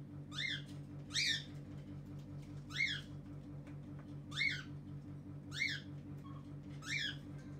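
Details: A cockatiel at a breeding aviary in Iskenderun gives harsh, rising-then-falling whistled calls, repeated every second or two over a steady hum.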